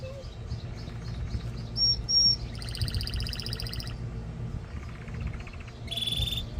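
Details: Male canary song meant to stimulate breeding: varied bursts of a pure high whistle, then fast buzzy rattling trills and rolling phrases, over a steady low hum of background noise.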